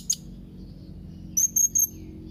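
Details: Young blue-crowned hanging parrot calling rivals: a single sharp high chirp, a pause, then three drawn-out, thin, high-pitched squeaky notes in quick succession.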